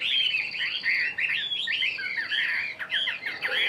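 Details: Chinese hwamei caged for about a year sings a dense, rapid warble of mixed whistles and slurred notes, varied and unbroken.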